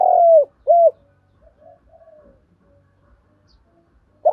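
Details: Spotted dove cooing as a lure to provoke wild birds: two strong, rounded coos at the start, then soft, low murmured notes and silence, with one more coo beginning at the very end.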